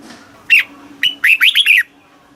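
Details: Red-whiskered bulbul from Thailand singing a southern master-style song, used to stimulate caged birds and teach young ones. A single bright note, a pause, then a burst of four quick warbled, bouncing notes over a faint steady hum.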